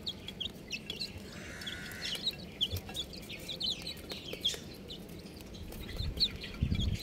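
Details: Young chicks giving high, short chirps that drop in pitch, spaced irregularly. A brief lower drawn-out tone sounds early on, and low knocking and handling noise is heard toward the end.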